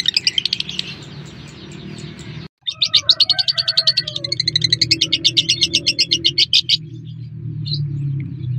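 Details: Lure call of a lovebird, intended to trigger other lovebirds to answer: high chatter, a brief gap, then a fast, even train of sharp chirps lasting about four seconds, with a low hum underneath.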